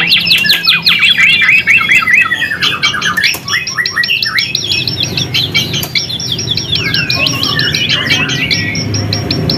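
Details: White-rumped shama singing energetically as a lure meant to rouse other shamas and pass on its song: rapid, continuous run of clipped whistled notes and fast trills, with repeated chattering note series and faint low hum throughout.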